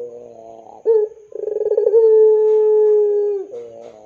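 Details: Barbary dove of the long-voiced pelung type, a lure call for tutoring young doves: a short coo, then a rolling pulsed note drawn into a long steady low hum that lasts about 1.5 seconds and ends with a softer coo.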